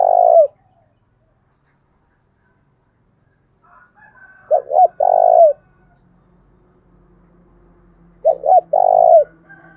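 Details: Lure call of a decoy spotted dove, thổ đồng voice, thúc bổi style. A trailing croo opens, then two full phrases of double short coo plus long rolling note follow about four seconds apart over a low hum.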